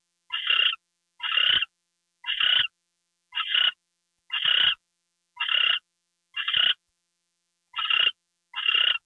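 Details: Owl at 10:43 PM, February 2, 2013, with a gopher delivery under way: nine short, raspy hissing screeches, about one per second, with a longer gap before the last two.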